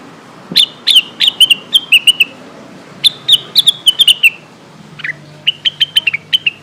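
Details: Lesser green leafbird calling companions, used as a lure to get birds singing: rapid series of sharp whistled chirps with clicky attacks in two long runs, a short harsh slurred note, then a final quicker run of even chirps.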